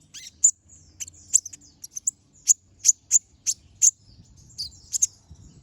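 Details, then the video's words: Brown-throated sunbird in full, lively song, a master recording for teaching other caged birds: rapid series of sharp, very high ticks and chips, spaced roughly every third of a second, with brief twittering between. "Pancingan Suara Burung Konin Gacor Ngobra Tembakan Tajam"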